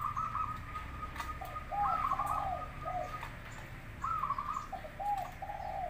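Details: Local and crossbred zebra doves sung as a master track for luring other doves to reply: staccato trilled cooing phrases in stepped high and lower notes, two song bouts about two seconds apart, with light background hiss.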